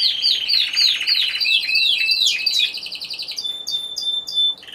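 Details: Individual Timbrado Español song canary judged at a November 2015 contest: a loud run of repeated down-slurred whistles followed by short metallic clicks and sharp ticking notes.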